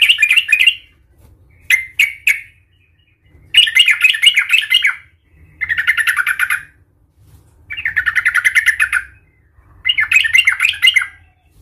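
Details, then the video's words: Yellow-vented bulbul (trucukan) in a raging fighting song meant to provoke rivals: six lively chattering, gurgling phrases of one to one and a half seconds, repeated every two seconds or so, over a faint low rumble. "Suara trucukan gacor Cuk cuk ngamuk Tarung Garuda - Ampuh untuk pancingan trucukan agar bunyi EMOSI"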